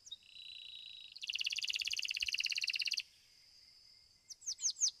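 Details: Belgian domestic canary singing in the seventh edition of a singing competition: thin high tones, then a fast even buzzing trill lasting about two seconds, followed by a few sharp rising sweeps.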